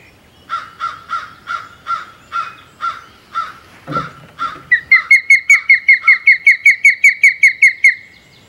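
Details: Osprey at its Hog Island nest, 27 May 2020. Hoarse, evenly spaced harsh notes open the sequence. They give way to a loud, rapid series of bright whistled chirps, each slurring downward, repeated about three times a second.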